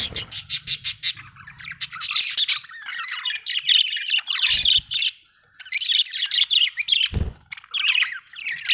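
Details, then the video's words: Budgerigar chirping happily: fast, rhythmic, high notes at first, then busy warbling chatter broken by a short silence and a single low knock. "happy budgie chirping sound"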